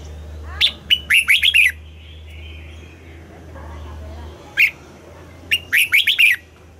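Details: Morning song of a red-whiskered bulbul being trained to sing the double-note style. A rapid run of five or six bright, warbled whistles opens the clip, followed by a lone sharp note and a second fast whistled burst, with a constant low hum.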